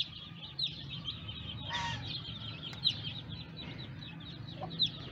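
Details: Newly hatched baby chicks peeping: many thin, high chirps overlap in a steady chorus several times a second, over a low background hum.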